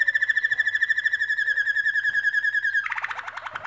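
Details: Canaries building a nest and singing: a steady, fast, mid-pitched rolling trill held for almost three seconds, then a lower, broader rapid roll.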